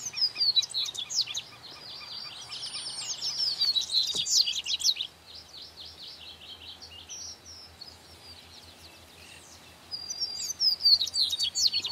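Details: Song of the double-collared seedeater, 2018: a rapid run of high, sweet slurred notes lasting several seconds, a quiet pause, then the phrase resumes, with a faint low drone behind.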